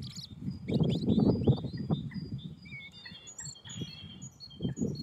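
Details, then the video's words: A European robin sings thin, high, liquid warbling notes that shift quickly in pitch, over a heavy low rumble of wind or handling noise. "Robin Red Breast singing"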